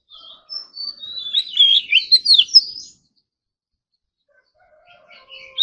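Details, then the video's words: Oriental magpie-robin, a kept ornamental bird, in morning competition-style singing with varied filler phrases. A long whistled note leads into a dense tumbling jumble of chirps and slurs, then near silence with faint notes. "Kacer Gacor Full Isian Tembakan Mewah || choè than hót đấu"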